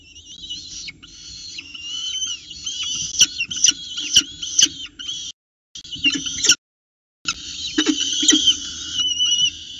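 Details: Peregrine falcon chicks in a nest box at Orange at 9:36 am on 29 October 2018, fighting over prey as adults deliver and feed; loud wavering whistled wails with harmonics, overlapping, broken by sharp clicks and brief silences.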